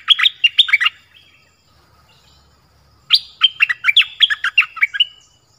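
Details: Oriental magpie-robin singing clearly in varied phrases: a short burst of sharp whistles, a quiet gap of two seconds, then a longer, rich run of high ringing notes and chirps.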